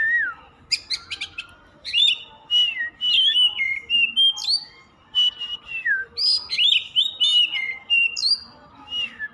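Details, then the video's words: Oriental magpie-robin (kacer) singing without stopping, a rich run of clear whistled phrases, some rising and falling sharply, mixed with short scratchy notes, delivered in bursts with brief pauses. "Suara kacer_kicau mania yang sllu bunyi gak mau berhenti."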